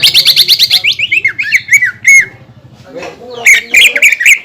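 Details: Greater green leafbird song played to make other leafbirds sing: rapid chatter sliding down into slurred whistles, a pause with faint low murmuring, then harsh bursts of notes.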